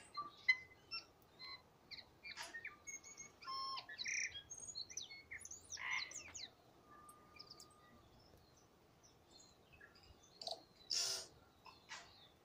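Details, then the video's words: Tui singing at Waikouaiti: scattered bursts of sharp clicks, high metallic notes and brief pure whistles, with quiet gaps between phrases and a long level whistle midway, over soft background hiss. "Tui in song at Waikouaiti"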